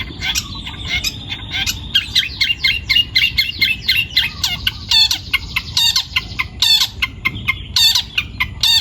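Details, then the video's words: Young wild-caught long-tailed shrike singing vigorously: a rapid, varied stream of harsh, scratchy notes and short whistled slurs, several per second, with no pauses. Low background rumble throughout. "CENDET PASTOL MUDA HUTAN (MH) GACOR BUNYI"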